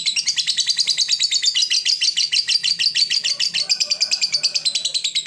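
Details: Fighter lovebird giving a long ngekek song meant to provoke rivals into singing: a fast, unbroken chattering trill of high, scratchy chirp pulses, steady and rolling throughout, with a faint low hum underneath.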